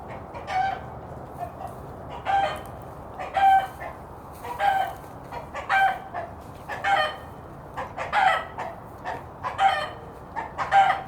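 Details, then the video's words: Alarm from a rooster that has spotted a hawk or danger, sending the hens to hide; a steady run of loud rasping cackles, roughly one per second, over a low background hum. "Rooster Signal noise if there is hawk or danger"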